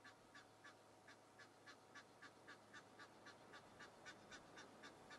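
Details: At Djuma Game Reserve in South Africa, a goose sounds an alarm that nearby impala notice and watch; a rhythmic run of short nasal honks, evenly spaced and quick, with a faint steady drone underneath.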